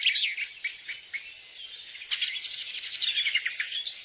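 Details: Busy high-pitched twittering from a bird in the wild, with dense, rapid chirps running almost continuously, about four per second, and a quiet background.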